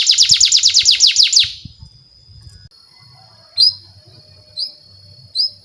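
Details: Canary lure song for young birds: a quick run of bright descending notes, then a faint sustained tone and three separated upslurred chirps with quiet gaps, faint low background hum.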